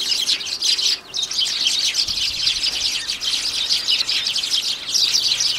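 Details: Sparrows crowding a home bird table on January 2, keeping up a dense, continuous chatter of high, overlapping chirps with brief dips in loudness.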